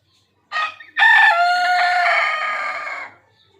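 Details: Desi rooster crowing: a short harmonic opening note, a brief pause, then one loud, sustained, raspy crow lasting about two seconds that holds level and fades at the end, with a quiet background.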